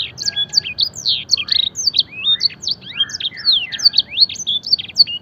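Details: Singing canary used as a training song, blackthroat and edel sanger phrases: quick high chips mixed with swooping lower slurs and a brief rattling trill, steady and energetic.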